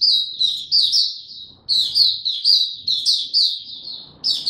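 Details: High, rapid twittering song from a caged Oriental white-eye in ramped-up form, dated 3 January 2022; dense chirp strings separated by short pauses, faint low rustling beneath.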